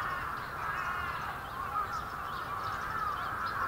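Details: Large winter flock of bramblings in Yoyogi Park, February 2019, a dense steady chorus of overlapping short nasal calls with thin rising notes scattered through it.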